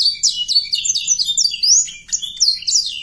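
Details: Canary song meant to prompt young canaries to sing: loud bright whistles curving up and down, with one long rising slur and a short break near two seconds.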